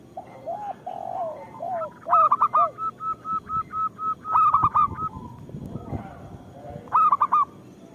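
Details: Local zebra dove in full song, used as a lure to prompt idle local zebra doves to sing: soft falling coos, then quick clipped bursts of three or four notes and a steady run of even, repeated cooing notes.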